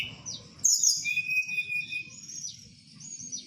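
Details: Night singing of a blue flycatcher (tledekan) from Merapi: a bright high slurred whistle, then long drawn sweet whistles stepping down in pitch, with soft low background rumble.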